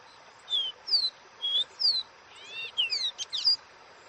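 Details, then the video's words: Dó Ré Mi song of a caboclinho in wild style. Clear high whistled notes slide up and down in sequence, then a rapid tumbling series of curved chirps and a sharp final whistle. Soft constant hiss in the background. "CANTO DO CABOCLINHO Dó Ré Mi 🐦com o Canto selvagem"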